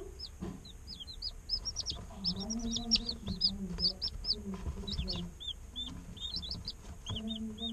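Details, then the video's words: A group of day-old chicks keeps up a stream of shrill, falling peeps, some in quick runs. A low, murmuring tone sounds underneath for much of the time. "Chicks Chirping Sounds - Baby Chicken Sounds"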